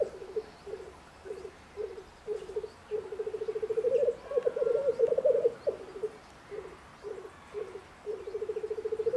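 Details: A black grouse cock in the Bavarian Forest, Germany, displays in spring courtship with low, bubbling rookooing phrases, short bursts first and then longer rolling coos, over a quiet background.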